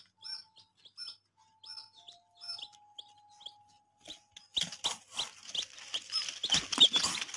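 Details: Baby chicks give separate high, downward-sliding peeps with a steady faint tone behind them, then a loud burst of scraping and rustling noise with more peeps mixed in.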